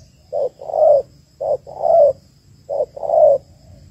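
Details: Cooing of a female spotted dove used to stimulate males: a short note and a longer, gently falling coo repeated three times at an even pace, with little else audible.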